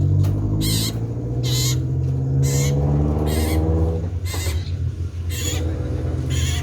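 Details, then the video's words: Cipoh sirtu, a common iora, calling loudly: brief scratchy bursts repeated about four times a second in spells, partly masked by a heavy low hum like a running engine. "SUARA KENCANG BURUNG CIPOH SIRTU GACOR"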